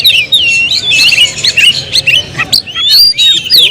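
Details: Song of a caged Oriental magpie-robin: bright slurred whistles and scratchy chirps strung together quickly, with a few clear rising notes toward the end.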